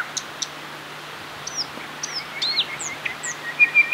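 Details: Thrush nightingale singing at Getterön, Varberg, Halland, Sweden, in May 2007: two sharp clicks, then high down-slurred whistles about half a second apart, closing with a dry rattling trill over faint outdoor hiss.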